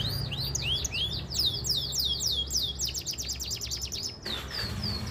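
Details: Canary at a singing contest ring, delivering rapid high trills of sweeping whistled notes, some rising and some falling, in quick succession, then a few sustained high notes, with low background rumble throughout.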